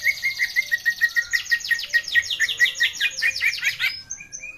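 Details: Greater green leafbird lure song for prompting young birds to sing: steady quick chips under a high trill, swelling into a fast run of sweeping buzzy notes, then a few scattered short whistles.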